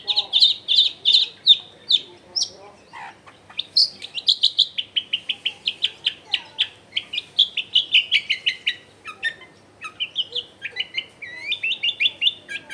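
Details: Long-tailed shrike pouring out a long, varied song, recorded at home among crowded houses to make silent shrikes join in: rapid chattering notes strung together almost continuously, with bright whistled trills.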